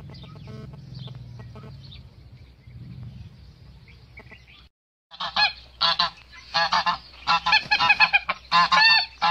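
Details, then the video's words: A male goose defending its female: faint, soft calling at first, then after a brief silence a run of loud, harsh honks in tight bursts. "ذكر الاوز يدافع عن أنثاه Male goose defends its female"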